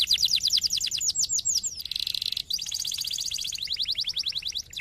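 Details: Stimulating canary song for other canaries: fast rolling trill of repeated sweeping notes, broken by a short harsh buzzy tour, then more rapid trills.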